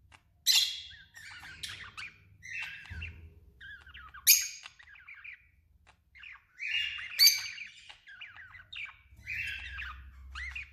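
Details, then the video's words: A male budgerigar warbles a rambling run of chirps, squawky bursts and scratchy chatter in short bouts, with a soft low background rumble. "Canto de Periquito australiano macho"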